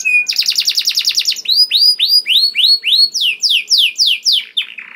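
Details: Canary song played to stimulate canaries into singing; a fast steady trill of short notes, then slower arched whistles about three per second, ending in a falling buzzy note.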